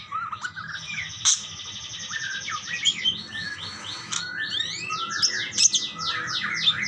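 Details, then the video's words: Several budgerigars calling to one another with rapid buzzy repeated notes and rising squeaks, joined by a few sharp clicks, forming nonstop high chatter. "burung parkit bersautan"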